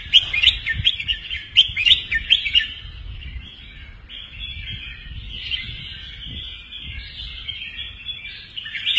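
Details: Caged red-whiskered bulbul, a professional bird of the doubled-phrase 'beun' style, played to teach young birds and excite listeners; bright chirpy whistled notes in quick bursts early on, then a fainter, steadier warbling continues.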